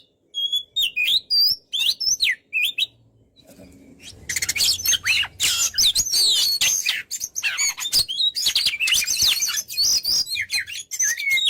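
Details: A caged white-rumped shama sings a long, dense, varied song for training other birds, opening with clear separate whistles and then breaking into a fast, crowded stream of chattering and whistled notes with harsh accents.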